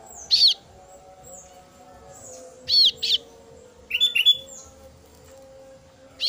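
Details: Female kasu-kasu bird chick calling its parent: short, sharp high chirps in scattered clusters of one to three, separated by pauses, over a steady low background hum.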